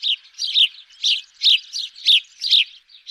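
House sparrow giving quick, bright cheep notes, about two or three each second in an uneven chattering run, with nothing else audible.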